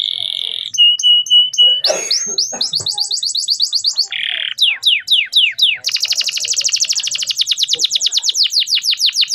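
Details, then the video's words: Clear male canary song serving as a master recording for young birds: a steady held whistle, rapid rising rolls, a short buzzy burst, descending sweeps, then a long, very fast rattling trill of repeated notes. "MASTERAN BURUNG KENARI PAUD AGAR CEPAT BUNYI DAN GACOR - kenari jantan gacor jernih"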